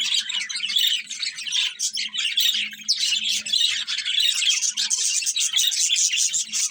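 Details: A budgerigar breeding pair chirps and chatters without pause, scratchy warbles mixed with sharper squeaks over a faint low hum.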